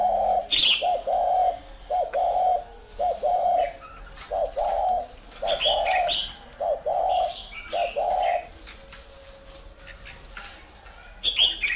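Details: Spotted dove from a bird breeding garden in Ba Vi, northern Vietnam, cooing in steady phrases of low, mellow, hollow notes, each roughly half a second long, with thin chirps from other birds above.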